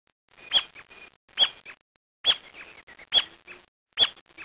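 Brasilia tapaculo giving sharp, high, squeaky chip notes, five in a row at a steady pace of just under one per second, with fainter soft notes between them.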